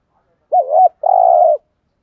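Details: Spotted dove decoy calling to get wild doves to respond. One clean phrase: a rolling double coo followed by a long, even, slightly rough coo, with silence around it.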